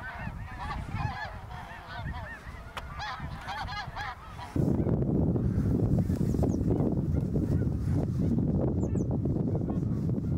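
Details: Migrating greater snow geese above Ottawa, Canada, fall 2021, huge numbers aloft: a few seconds of busy overlapping honks and barks, then a loud roar of wind buries the birds for the remaining half.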